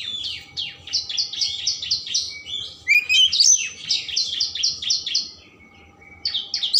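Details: Richly varied Oriental magpie-robin song, played to arouse emotion and tail spreading: fast series of repeated sharp downslurred notes, about four per second, broken by a rising twittering flourish.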